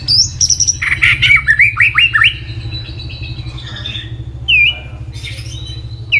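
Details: White-rumped shama in competitive singing, fired up and pouring out many voices: high whistles, then a run of rising slurred notes, later clear looping whistles, over a constant low droning hum.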